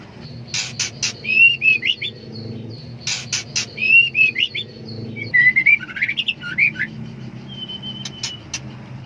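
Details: Female white-rumped shama in breeding condition calling for a male: sharp clicking bursts followed by short whistled, wavering phrases, repeated three times, with a long thin whistle near the end over faint low hum.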